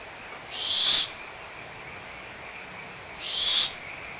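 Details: Barn owl young at Starr Ranch Sanctuary, recorded April 2011, excited and squabbling over a food remnant while the mother is near; two drawn-out, breathy hissing screeches around two and a half seconds apart, frogs droning underneath.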